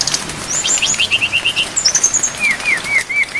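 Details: Brown-chested jungle flycatcher training song with rain. A run of quick high stuttering notes leads into a series of evenly repeated, downslurred whistles, all over soft rain noise.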